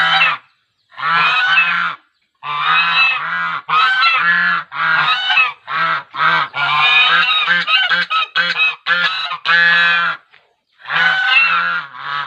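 Swans give loud, nasal, trumpeting honks in short bursts, some overlapping into a busy chorus, with brief pauses between.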